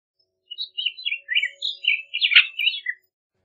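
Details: Bullock's oriole singing a varied phrase of short warbled and whistled notes, some rough and buzzy, tumbling together for about two and a half seconds in a quiet setting.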